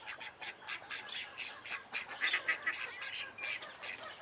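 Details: Juvenile call ducks with chicks in a private Dutch collection: quick high peeps repeated about four times a second, uneven in loudness, several birds calling over one another.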